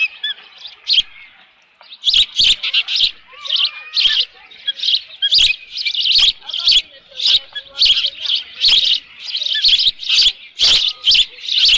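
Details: Osprey calling from the nest at Dunrovin Ranch, 13 June 2018, about 11:37 AM, with leftover fish present; sharp, high chirps repeated steadily, roughly every half second, after a quieter start, with clicking pops over the calls.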